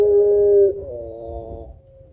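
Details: Spotted dove, an actively singing pelung-style bird used as a lure for other birds: a steady low coo held about 0.7 seconds, then a softer, slightly lower tone trailing off.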